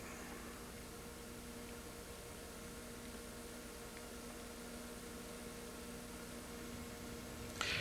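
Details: Steady low hum and fan-like hiss throughout, with a brief click near the end and no animal calls.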